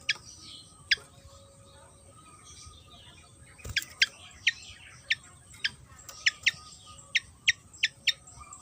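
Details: Javan fantail, a fan-tailed insect-eating bird found on Java, giving sharp downward-sweeping chips at irregular intervals, faster toward the end, over a steady hiss of background noise.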